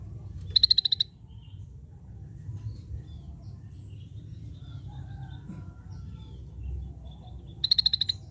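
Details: Scaly-breasted bulbul singing a brief volley of quick, high, clipped notes at a steady pitch. The volley comes at the start and again near the end, with quiet low rumble between.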